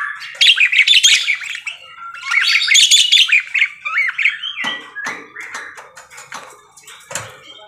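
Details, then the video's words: Parakeet singing energetically, a dense, fast warbling chatter of squeaky, buzzy notes and short whistles, loudest in the first four seconds, then looser chirps and clicks trailing off in a quiet, indoor-sounding setting. "BURUNG PARKIT GACOR CANTIK"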